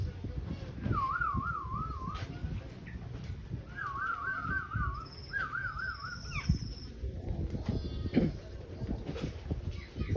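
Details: Black-naped oriole singing persistently: short, fluty wavering whistles in three phrases, each a rapid wobbling warble, amid heavy low rumbling background noise and faint murmuring voices.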